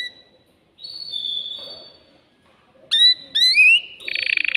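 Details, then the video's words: Caged male canary singing to excite a female for mating: a long level high whistle, a pause, then loud rising slurred notes ending in a fast buzzy roll. "تغريد ذكر كناري هائج يريد تكسير القفص يحفز الأنثي لتزاوج"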